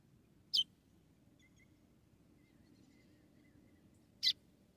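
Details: ['Calling female white-throated seedeater, Rio Grande do Norte, Brazil, trying to excite the male: two crisp high chips nearly four seconds apart, quiet in between apart from a soft background hum.']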